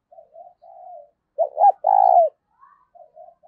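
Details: Soft, low, rambling murmurs from a decoy spotted dove kept to lure wild doves break into a loud phrase: two quick hooked notes, then a long, burred, downward coo, before the quiet murmuring returns.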